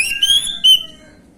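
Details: Orange-headed thrush song in the gamblingan style, used as a lure to make birds respond: one loud rising whistle with bright overtones, then a short clipped second note fading out.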